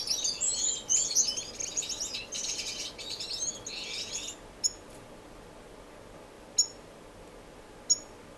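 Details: Several finches chattering in a dense, high, buzzy twitter for about four seconds, followed by three isolated sharp chirps spaced apart; indoor non-breeding community aviary, Edmonton, Canada, March 26, 2015.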